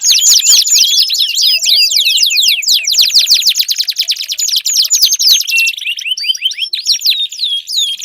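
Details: Canary song meant to prompt a non-singing canary, a long fast trill of sharp chirps that shifts into separate curved whistles near the end.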